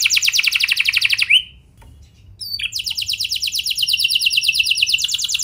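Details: Canary singing as a lure for other canaries: a fast high trill ending in an upward slur, a quiet gap, then more rapid rolling trills at a steady fast pace.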